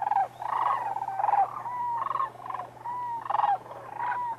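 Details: Sandhill cranes wintering at Whitewater Draw in southern Arizona, a flock over 20,000 strong. Clear rolling, gurgling bugles repeat about every half second, some calls sliding in pitch, other cranes calling behind.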